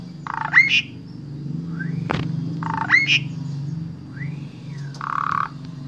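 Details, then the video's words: Asian pied starling from Wonosobo, Central Java, Indonesia, a vocal tutor for spotted starlings. Its varied song repeats a buzzy low block, then a sharp whistled upslur and a rising-falling whistled arc, twice over, with a steady low hum underneath. "Jalak SUREN SUPER GACOR Full Isian Sangat Ampuh Dijadikan Guru Vokal Jalak Trotol"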